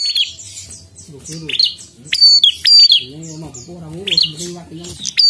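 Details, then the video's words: A prinia sings insistently, used as a challenge recording for kept prinias. Loud high chirps and downward-sliding whistles come in bursts, with softer wavering, lower-pitched tonal sounds underneath. "Prenjak Gacor Ngotot tes Mental Prenjak Anda Dengan ini"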